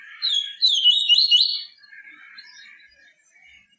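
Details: Song of a yellow-bellied seedeater meant for training caged birds: a single quick phrase of rolling, slurred high notes lasting just over a second, followed by faint low twitters.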